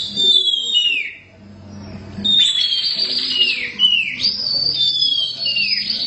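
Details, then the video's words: Black Oriental magpie-robin (kacer hitam) singing boldly in the gacor style: clear whistled notes sliding downward, a short pause, then repeated high whistles with falling slurs, over faint low background music. "Kacer hitam gak pernah malu untuk gacor"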